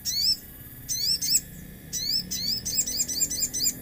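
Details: Common iora lure song set among nature sounds: bursts of high, twisting chirps repeated in quick clusters, growing into a fast chattering run of wavering whistles near the end, with little background noise.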